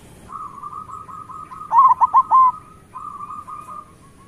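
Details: Local zebra doves singing to rouse lazy birds: a continuous beaded trill with a brief loud group of four ringing coos in the middle.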